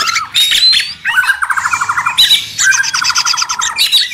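A White-rumped shama sings loudly and busily: thin whistles over fast, dry rattling trills repeated in bursts, densely layered with almost no pause.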